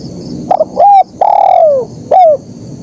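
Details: Spotted dove singing a lively 'kuk 1' style song: a brief stuttered note, then a short hooked coo, a long coo sliding downward, and a final falling coo. A faint steady high hum sounds behind it.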